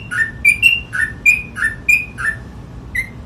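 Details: Energetic Sooty-headed bulbul ropel song: tight bursts of clear whistles, high notes interleaved with lower downslurred ones, ending with a single isolated whistle after a brief gap.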